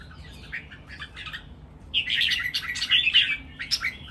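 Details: Caged red-whiskered bulbuls, three birds, in a lively training song with counted phrases. Soft, distant warbles lead into a louder, sustained run of bright, jumbled whistled notes.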